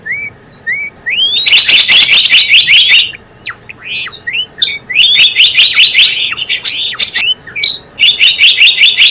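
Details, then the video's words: Java sparrow calls played to lure birds for trapping: soft rising whistled notes open, then dense runs of bright, high, repeated chips broken by short pauses and further upslurred whistles. "SUARA PIKAT BURUNG GELATIK BLOONG"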